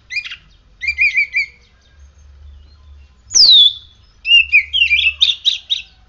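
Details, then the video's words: Oriental magpie-robin (kacer) in full song after morning sunning and morning dew therapy: short warbled phrases, a loud steeply descending whistle, then rapid varied chirps, over a quiet low hum. "Kacer gacor hasil rawatan jemur pagi dan embun pagi ini buktinya"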